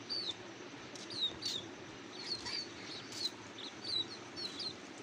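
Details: Cuckoo nestlings hungry for food: sharp, high, downward-slurred cheeps given in quick pairs and bursts, with soft rustling thumps and a steady hiss behind them.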